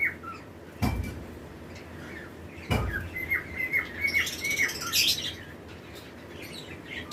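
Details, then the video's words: Breeding-season lovebirds, pairs kept in a flight colony with other birds, give quick shrill chirps in an uneven run of about two per second, with higher squeaky notes and a couple of dull thumps. "Lovebirds Chirping Sound"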